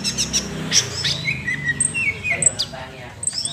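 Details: Short 'nembak' sunbird phrase: high chirps, then drawn-out thin whistles sliding downward, over a soft low rumble.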